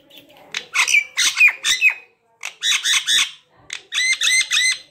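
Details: An Indian ringneck (green) parrot in an aviary talks in high, nasal, speech-like syllables: three short phrases of two to four rapid, squawky words each, with brief pauses between.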